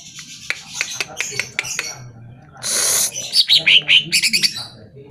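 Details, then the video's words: Greater green leafbird song for getting caged leafbirds to answer: scattered sharp ticking chirps, then a loud hissing burst followed by a lively string of bright, warbled high notes. "Pancingan Suara Burung CUCAK IJO Dijamin NYAUT"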